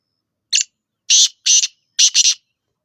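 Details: Black francolin (kala tetar) of the Sindhi type, calling: a harsh, scratchy phrase of one short note followed by three longer grating notes, the last one split in two, spread over about two seconds against silence.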